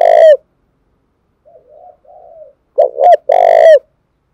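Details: Spotted dove from Dong Nai, Vietnam, giving a provoking coo used to train decoy birds: loud mellow coos, a soft faint murmured phrase in the middle, then two short hooting notes and a longer drawn-out coo.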